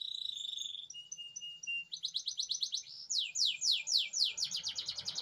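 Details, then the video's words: Atlantic canary singing nonstop, with long rolling song used as a tutor for young birds: a level whistled note, a pulsed buzzy trill, then fast downward-swept notes repeated in quick series. "Suara Burung Kenari Gacor"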